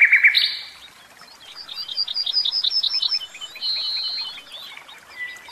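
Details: A caged common nightingale opens with a loud rich note, pauses, then sings a steady string of about a dozen repeated pulsing notes, a held buzzy whistle, and quiet scattered notes.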